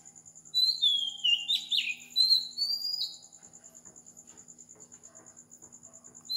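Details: Pre-dawn song of an Oriental magpie-robin on the tropical island of Sri Lanka, 4 am: a few clear, high, sweeping whistles in the first half, then mostly a soft rhythmic buzz and faint murmurs.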